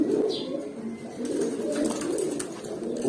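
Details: Young adult pigeons about eight to nine months old, kept as breeding stock, give low, rolling coos that overlap and run steadily through the clip, with a faint human voice and soft handling noises behind.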